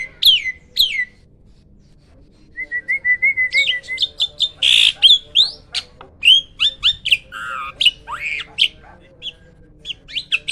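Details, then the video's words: Loud song of a captive hybrid myna from a bird farm: opening sharp whistles, then a run of even rapid piping notes, followed by dense chattering, buzzy squawks and ringing whistled slurs in quick succession. "MISTERI JALAK HYBIRD ‼️ SUARA KERAS KICAU LANTANG ‼️"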